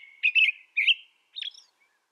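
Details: American robin in North America giving a couple of rich warbled whistled phrases followed by a softer, higher slurred note, with nothing else audible.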